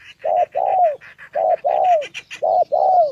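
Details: Spotted dove decoy in Gia Lai, Vietnam, meeting a wild bird and a female: three short-long coo pairs, the long notes curling downward, over a constant higher chattering background.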